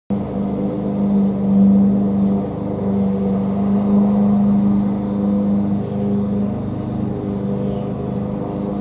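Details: Loud droning hum with steady low tones that swell and fade, like an engine or motor running, with no animal sound.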